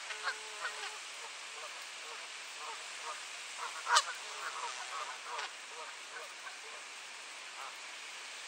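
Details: Geese in a yearly territorial fight, Sainte-Adèle, Quebec, Canada, on a clear 7°C April morning at 10:07 AM, 2023; scattered short nasal honks come and go at low volume, with one sharper honk near the middle, over quiet background hiss.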